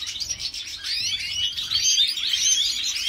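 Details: Female European goldfinch of the white-headed mutation, bred in Jordan, singing a continuous, fast twittering warble of high, tinkling notes, steady and unbroken throughout.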